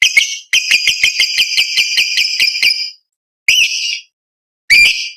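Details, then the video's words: Lovebird lure sound (pancingan) played to prompt young lovebirds to start singing and fighter lovebirds to chatter (ngekek): a rapid series of sharp, harmonic chirps for about two and a half seconds, then two short separate bursts. "PANCINGAN LOVEBIRD PAUD AGAR BUNYI"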